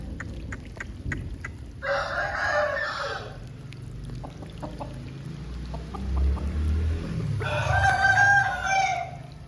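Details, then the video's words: Two harmonic crows from an Aseel chicken after rain, about five seconds apart, the second louder. A low rumbling and bubbling background runs beneath, with light ticking sounds in between. "Aseel Bird Sound Effect"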